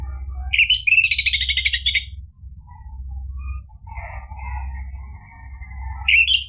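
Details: Orange-headed thrush in lively song played to provoke another bird into singing: a dense, scratchy burst of rapid whistles, softer lower warbled notes in the middle, then another bright outburst at the end.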